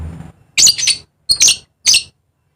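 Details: Dusky lory from eastern Indonesia's Papua giving three loud, harsh, buzzy squawks about half a second apart, the first drawn out and doubled, in otherwise quiet surroundings.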